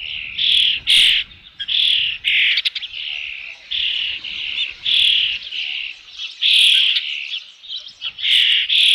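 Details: Osprey at its nest holding a fish, Dunrovin Ranch, 3 June 2018, around 5 PM: a steady run of high whistled chirps, several per second, rising and falling in loudness.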